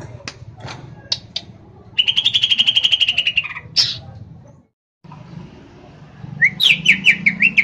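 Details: Greater green leafbird kept in Pemalang, Central Java, Indonesia, gives a fast rattling trill of repeated whistled notes, a harsh note, then after a pause a string of bright descending whistles repeated several times; low background hum.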